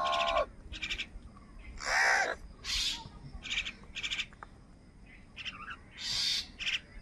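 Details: Crows competing with wild birds for food on a rainy morning, giving loud, rasping caws in separate bursts every second or so, interspersed with sharper chattering notes from other birds over a steady background hiss.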